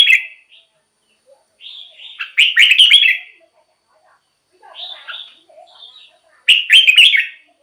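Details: Red-whiskered bulbul song, played to excite caged birds and lure wild birds as a decoy: three bursts of bright, chattering, warbled notes, each about a second long, with quiet gaps between.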